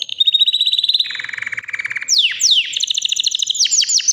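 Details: Three-year-old white canary singing: a fast high trill dropping into a lower buzzy rattle, followed by loud downward-sweeping notes and quick high trilled phrases.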